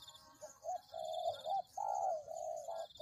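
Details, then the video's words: Spotted dove lure recording. A nearly continuous string of warm, wavering coos, the longer notes gently rising and falling, over a steady high-pitched buzz. "Pikat Tekukur"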